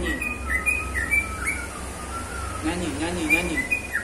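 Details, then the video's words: Bird sings strings of thin whistled notes, some long and level, others short and rising; a human voice is heard briefly midway, with a low hum throughout. "falk bird singing"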